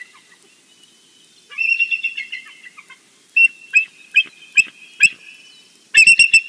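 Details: At a Big Bear nest, a bald eagle calls in the morning on a live nest camera: a thin descending chittering phrase, then spaced single piping notes, and finally a loud burst of rapid high squeals.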